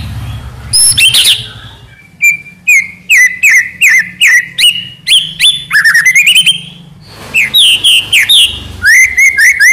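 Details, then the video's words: Murai batu (white-rumped shama) full-fill tutor song, said to make birds answer on first hearing: a lively sequence of clear whistles, chattering runs and rising slurs, repeated in quick bursts, with a low hum underneath. "MASTERAN MEWAH MURAI BATU FULL ISIAN , SEKALI DENGAR AUTO NYAUT"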